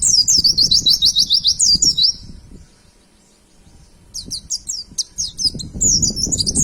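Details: Caged white-eye used for training other birds to sing, giving a fast high chattering song of repeated sharp chirps, a quiet gap of two seconds, then another lively burst of twittering notes; soft low background rumble.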